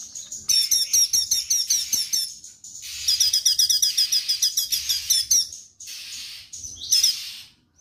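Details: Straw-headed bulbul delivering rapid 'tembakan' bursts in full song: strings of sharp, high ringing notes fired in quick succession, one long volley after another, then shorter bursts amid faint hissing background noise.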